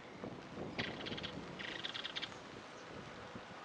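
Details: Chotoy spinetail giving two short dry rattling bursts about a second apart, each a rapid buzzy trill, over steady wind and low rumbling background noise.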